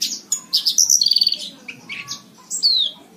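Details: Horsfield's bush lark song for teaching caged birds: rapid chattering run of about a dozen quick notes after a few chirps, then softer varied calls and a clear descending whistle.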